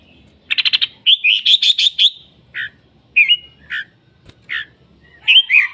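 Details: A red-whiskered bulbul gives a quick rattling burst followed by clear whistled and slurred notes, spaced irregularly with short silences between them.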